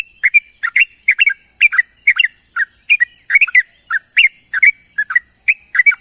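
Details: Sooty-headed bulbul in the morning, calling to its companions with dense, lively bubbly chirps, often paired, repeated rapidly and irregularly over six seconds against a steady high hiss.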